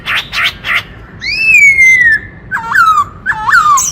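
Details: White-cheeked laughingthrush, a wild bird, singing in the 'kích trống' style meant to rouse males: three buzzy bursts, then a long slurred whistle falling gently, followed by two looping whistled notes that dip and drop.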